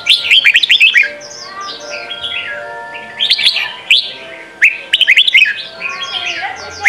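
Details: Red-whiskered bulbul singing in the Sông Kon style as training for young birds: fast runs of sharp chirping notes, then slurred whistles, with a steady faint tone underneath.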